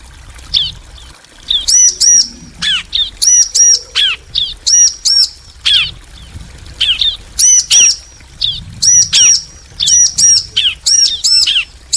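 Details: Male and female bar-winged prinia exchanging calls: steady, dense series of high, bright chirps in pairs mixed with slurred falling notes, barely pausing over the stretch.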